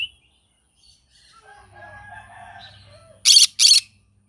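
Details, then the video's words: Faint chattering and a short squeak, then two loud, scratchy screeches in quick succession from a green-cheeked conure singing in the morning. "Green cheek conure singing sounds in the morning"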